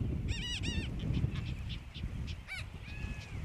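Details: Brown booby (Sula leucogaster) at Johnston Atoll on June 16, 2001: two quick pairs of harsh, harmonic, wavering calls, then a single rising-falling note and a drawn-out level cry, over steady low wind rumble.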